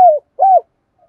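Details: Spotted dove kept as a decoy to attract wild doves: one descending coo and one arched, rounded coo, then a faint trailing note.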